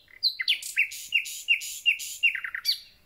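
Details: Recently returned common nightingale in full concert: loud repeated notes, each a sharp dropping note with a buzzy tail, about three per second, ending in quick chips.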